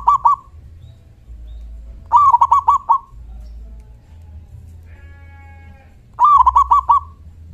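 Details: Local zebra dove with a big 'kung' voice, used to make other doves respond. The tail of one phrase opens, then two full phrases of a rising note and rapid, clipped coos, with a brief faint buzzy tone in between.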